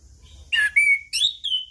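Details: Chestnut-capped thrush in clear singing form, used to prompt silent birds to sing. Four loud whistled notes, each a short slur, the later ones pitched higher and drawn out.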